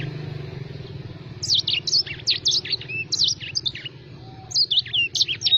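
Black-throated sparrow singing a rapid, varied run of high, thin twittering notes with quick upward and downward slurs, over a steady low mechanical hum.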